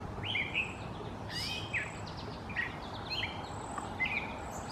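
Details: Unidentified bird singing in London, Ontario, in 2018: short whistled notes, some sliding and some with a brief rise, given about every half second to second over a steady background hiss.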